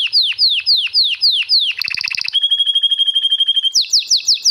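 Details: Canary singing a long roll (ngerol) used for song tutoring: a string of repeated high downslurred whistles, then a fast buzzy trill, a sustained steady rolling tone, and quick repeated slurs at the end.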